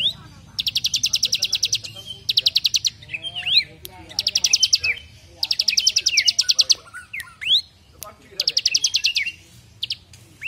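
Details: Bar-winged prinia (ciblek) in semi-active song for training other birds, with rapid machine-gun 'brem' trills: repeated buzzy rattling bursts, each about a second long, alternating with sharp upslurred whistles and chips; low hum underneath.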